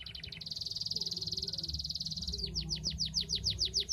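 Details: Canary singing energetically, used to prompt reluctant canaries to sing: a long fast buzzy trill of rapid repeated notes, then a slower series of sharply downslurred whistles about three per second; faint low background hum.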